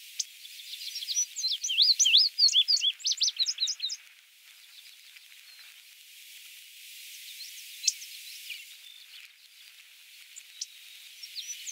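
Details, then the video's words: Male Indigo Bunting (Passerina cyanea) singing at Goose Lake Prairie, Illinois, on 29 May 2016: a quick four-second series of high, sweet paired notes, then faint distant chirps over soft background hiss. "INDIGO BUNTING male singing"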